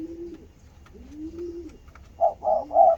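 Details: Spotted dove reacting to seeing its mate: soft, low arched coos first, then three quick, loud, rough notes close together at the end.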